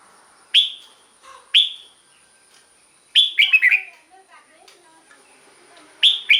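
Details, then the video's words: Red-whiskered bulbul singing, used as a decoy or to rouse other birds. Two separate sharp whistled notes about a second apart, then a fast bubbling phrase of several slurred notes, and another note begins at the end. "เสียงนกกรงหัวจุก สำหรับต่อ หรือ เปิดให้นกคึก เสียงเพราะๆ"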